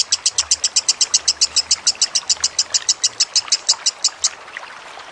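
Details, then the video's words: Lovebird over a background of trickling water: a quick series of shrill, high chattering notes for about four seconds, then stopping abruptly, leaving only the soft hiss of water. "Masteran Lovebird Kusumo + Gemercik Air"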